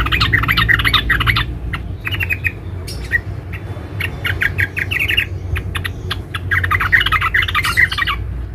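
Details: Female sooty-headed bulbul calling a male: broken bursts of bright chirps mixed with sharp clicks, the runs irregular and interrupted by gaps.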